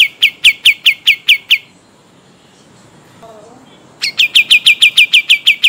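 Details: Pied triller from Kalimantan in rolling song: a burst of fast falling chirps stops for about two seconds, a faint soft low call sounds in the gap, then the quick roll starts again.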